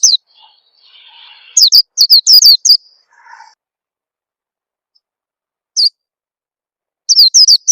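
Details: Oriental white-eye lure call to encourage birds to sing: clusters of high, thin, down-slurred chirps separated by long silences, with a faint lower rustling murmur near the start.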